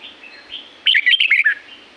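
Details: Red-whiskered bulbul in La-U forest, Thailand, from nature: quiet warbling, then one loud, quick phrase of six or seven clear whistled notes stepping down in pitch.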